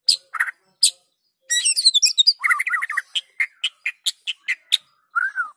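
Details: White-rumped shama singing as a lure for other shamas: sharp high notes, a fast tumbling whistled trill, then an evenly spaced series of crisp chips and a closing slurred whistle.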